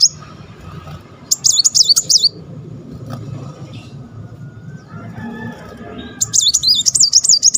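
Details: Brown-throated sunbird in full song, used as a lure to make other birds sing more: two bursts of very high, rapid looping whistled trills, each about a second long, separated by quiet with faint background rumble.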